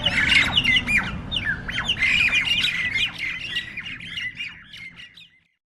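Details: Several jalak nias starlings fighting, with rapid harsh squawks and chattering screeches roughly three per second. The calls gradually fade and stop near the end.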